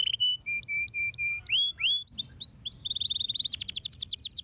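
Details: Canary song used to stimulate silent canaries to sing: clear whistled notes repeated in short series, swooping slurs, then a fast high trill.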